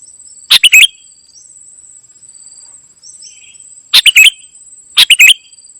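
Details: Golden-fronted leafbird singing in a lively, mimicry-filled style: three short bursts of harsh, rattling chattered notes spaced a few seconds apart, over a steady high insect-like hiss.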